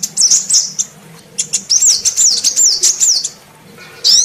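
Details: Lure call of a female sunbird, meant to stir quiet males into sound: bursts of sharp, high zigzag twitters and quick rising-falling notes, broken by a brief pause before a final thin rising note.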